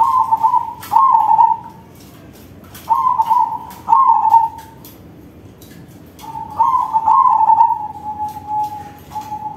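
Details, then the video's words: Big-voiced crossbred zebra dove singing a series of rolling, bubbly coos: short trilled phrases repeated about every second, then a longer run of stuttering notes fading into a steady low tone. "Perkutut crossing manggung suara besar || Suara perkutut crossing"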